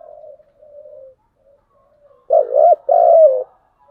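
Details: Giọng đồng style coo of a spotted dove: faint, low, drawn-out murmurs give way to one strong, deep, two-part coo with a slightly falling end.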